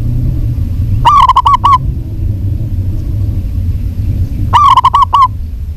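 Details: Local zebra dove, female, calling a male with two bursts of five to six fast, slightly upturned coos roughly three and a half seconds apart, low hum underneath.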